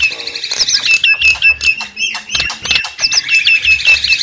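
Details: Noisy Javan myna chatter used as a lure for wild birds: quick wavering whistled notes, nearly three per second, mixed with rasping squawks and a low nasal tone at the start.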